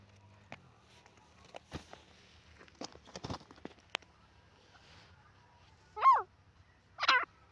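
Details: Grey francolin (dakhni teetar) calling near the end with two loud, wavering, harmonic notes about a second apart, following several seconds of scattered clicks, knocks and shuffling noises.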